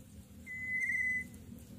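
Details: Begging Greater Coucal nestling, fed oversized food by its parent; one pure, even whistled note held for nearly a second against quiet low background noise.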